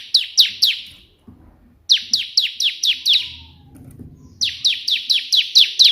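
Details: Bar-winged prinia giving 'tembakan' burst song in the white-prinia style, loud downslurred high notes in separate bursts of three, six and seven, with short silences between and faint low rustling.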